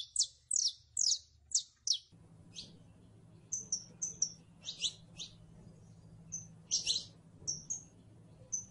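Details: Saffron finch, locally canario criollo, set against the northern mockingbird: bright high descending chirps in quick succession, then scattered short whistled notes and doubled chips over a steady low background hum.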